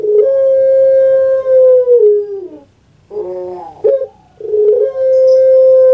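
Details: Kept puter pelung dove from Indonesia. A long clear drawn coo sags in pitch, then come rough undulating throaty notes and a sharp clipped sound, followed by another long sustained coo.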